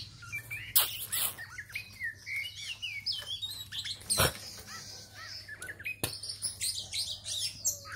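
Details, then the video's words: Oriental magpie-robin singing a busy, varied run of sharp whistled notes and rapid chirps, mostly high-pitched, with loud clicks and knocks at intervals and a steady low hum underneath. "Chòe mồi xòe"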